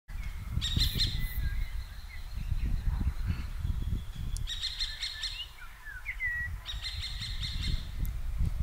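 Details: Common kestrels, two pairs scolding each other on 15 June 2023 while hovering; sharp repeated kee-kee-kee notes come in three bursts, with other birds' thin whistles and strong low wind rumble throughout.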